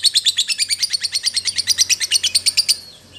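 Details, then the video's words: Lovebird calling to its companion, used as a lure call: a fast run of about twenty sharp, high chirps, roughly six per second, steady and even, then stopping abruptly, with a faint low hum underneath. "suara lovebird memanggil temennya"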